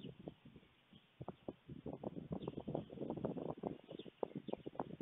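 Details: Two white stork chicks at a nest in Fohrde, Germany, at 3:58 pm on 28 July 2019 make rapid, dry clattering and knocking bursts, growing busier, eager to be fed as a parent visits, with a soft rural background.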